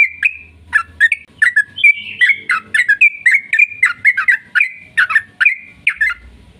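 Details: Rapid, long-running sooty-headed bulbul song serving as a lure to make other bulbuls sing: cascading liquid whistles and short slurred phrases in steady succession, with a low background hum at start and end.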